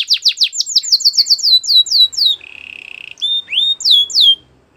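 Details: Belgian canary singing a series of fast falling whistled sweeps, then a soft low rolling trill, followed by rising and falling slurred notes.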